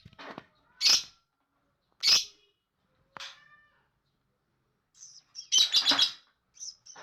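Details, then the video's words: Lovebird chatter of sharp high squeaks at roughly one-second intervals, then a dense cluster of rapid harsh chattering notes near the end. "Ocehan Burung Lovebird"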